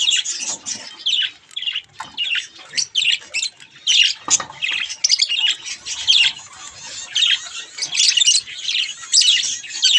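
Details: Young pet budgerigars playing at a mirror give harsh, scratchy chirps in quick bursts, a busy run of buzzy squawks repeating about twice a second through the whole stretch.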